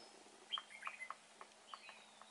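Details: A Red-whiskered bulbul, being trapped, gives a short run of bright, bubbly chirped notes, about five in two seconds, over a faint steady hum.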